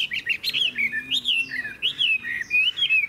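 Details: Chinese hwamei kept in a cage and noted for loud, powerful singing: clear, loud whistled slurs, rising and falling in quick succession, with short pauses between phrases.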